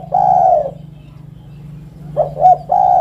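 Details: Long, mellow coo from a spotted dove, then a pause and a fresh phrase of two quick coos leading into another drawn-out note, over a constant low droning hum.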